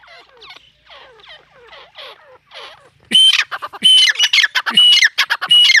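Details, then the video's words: Soft scratchy chatter gives way to loud, harsh squawking bursts with whistled tones from a female teetar (partridge) in an excited calling bout. "mdi ke Awaz # tetar sound # Teetar Voice # Atif Bhkar Bird # Tetar ke masti wali korak"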